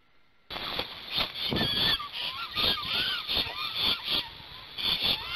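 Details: Black storks on a nest in Gemenc, Hungary, singing a long song at the parents' change-over, 21 May 2019 at 10:06 AM, seen on a live nest camera. Harsh, wheezy bursts carry whistled notes that rise and fall, roughly twice a second.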